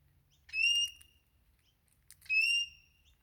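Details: Wild Crimson Rosella parrot in Australia that comes almost every morning to take sunflower seeds from a hand. It gives two clear, ringing whistled notes, each about half a second long, spaced roughly two seconds apart, against a quiet background.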